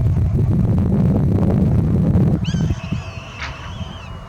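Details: One of two Swainson's Hawks at Logan River Wetlands, Logan, Utah, on a summer morning, gives a thin, high, drawn-out scream that slurs slightly downward, following a couple of seconds of heavy wind rumble.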